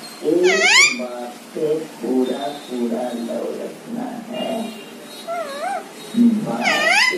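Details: Baby Alexandrine parakeet singing, giving loud, sweeping screechy notes that rise and fall, with softer warbling chatter and murmuring between the two strong bursts at the start and end.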